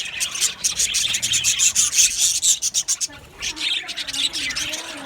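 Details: Male budgerigars in an aviary colony, recorded 8 December 2025, giving dense, scratchy high chirping and warbling chatter that runs almost without pause, with many birds overlapping in a busy flock chorus.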